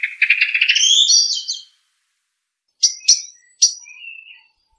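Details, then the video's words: Common blackbird song in a quiet setting: a fast, rising warble that breaks into thin, high squeaky twitters, followed by a pause and three sharp high notes with a soft trailing whistle. "تغريدة طائر الشحرور black bird"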